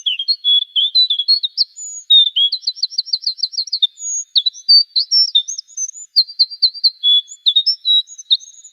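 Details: Pacific Wren song, slowed down for comparison with Winter Wren: a long, unbroken tumble of high tinkling notes, quick repeated trills and short buzzy phrases, with no overall pitch trend, nothing else heard.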